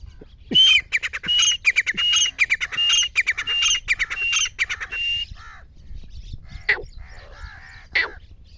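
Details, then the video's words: Grey francolin calling, a sound offered for hunters: loud, ringing high notes repeated in a rapid, steady series for about five seconds, then a pause and two more isolated sharp calls against a quiet background. "گورے تیتر کی آواز # شکاری حضرات کے لئے بہت خوب صورت آواز"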